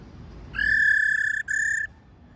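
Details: Female laughingthrush giving its call to excite males: a long, flat, pure whistle followed by a shorter identical note after a brief break, over quiet background.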